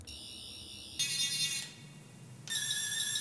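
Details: Shrill electronic alarm-like tones switch on and off in blocks.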